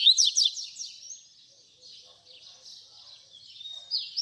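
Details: Tutor song of a double-collared seedeater in the fibra style: a loud opening flurry of rapid downslurred chirps, a softer buzzy middle stretch, then sharp rising whistles.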